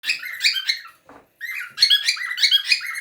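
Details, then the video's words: Cockatiels playing together chatter in rapid, high, squeaky bursts of warbled notes, with a brief pause and a soft low rustle between bursts. "Cockatiels playing together/ Papugi nimfy zabawa"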